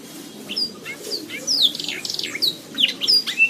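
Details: Canary song for training songbirds, softer and more distant here: scattered thin high whistles and chirps over a noisy background hiss, becoming denser toward the end.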